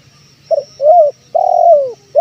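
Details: Male spotted dove (tekukur) from Indonesia, its calling voice used to lure wild birds: a short low hoot, then a rising-falling coo and a long, drawn, downward-sliding coo, all mellow and low-pitched, in a quiet setting.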